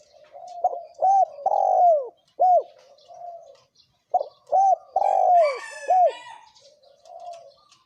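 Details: Male and female spotted doves cooing in the thổ kim style, used to provoke wild doves: two phrases of short arched coos around a long, loud, falling coo, with soft low cooing between and faint higher chirps from other birds.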